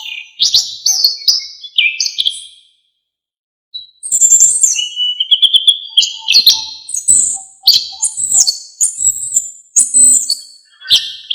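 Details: Energetic, varied song of an Orange-headed thrush, used to train songbirds. Bursts of high whistles and chirps mixed with quick phrase changes are broken by a one-second pause, then resume as rapid, very high twittering runs.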